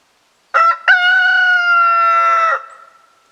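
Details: A newly acquired rooster crowing on a snowy day in late March, after preening: two short choppy opening notes, then a long, strong, harmonic-rich held tone lasting about two seconds, ending abruptly, with quiet surroundings.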